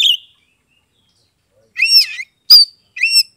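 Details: Oriental magpie-robin, Kebumen, Central Java, Indonesia, song to prompt reluctant birds; a note, long silence, then three spaced buzzy slurred whistles.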